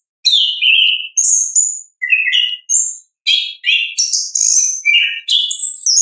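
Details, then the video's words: An orange-headed thrush sings a ngeplong-style song, natural and unaccompanied: a steady run of short, varied phrases mixing mid-pitched whistles with very high, scratchy twitters, each phrase separated by brief pauses. "ANIS KEMBANG GACOR, pancingan suara asli alam anis kembang"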